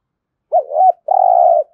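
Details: One 'thúc gù' phrase from a spotted dove used as a trained decoy: two short warbled low notes, a tiny break, then a drawn-out steady coo, with nothing else audible.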